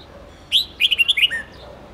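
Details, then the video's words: Red-whiskered bulbul singing a long multi-note training song meant for young birds to copy: a loud rising whistle, then a quick run of six chirpy whistled notes and a closing downward slur, clean with little background noise. "Luyện chào mào Hót Nhiều Giọng âm 7-8-9-10 cực dài"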